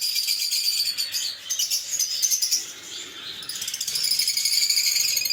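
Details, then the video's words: Small parrots known as lovebirds twitter in fast, high, buzzy chirps, about four notes a second, with a brief lull midway before the shrill chattering returns stronger. "LoveBird Singing & Chirping Sounds"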